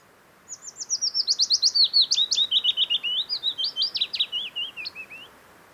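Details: Willow warbler singing in early summer (late June–early July) in the Geilo area near Hallingskarvet, Buskerud, Norway; it gives a sweet, liquid phrase of about twenty soft notes that starts high and slides gently down the scale over nearly five seconds.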